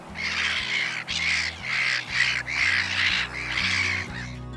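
A Black-headed Gull gives harsh, rasping screeches, about five in quick succession, each lasting roughly half a second, over soft background music.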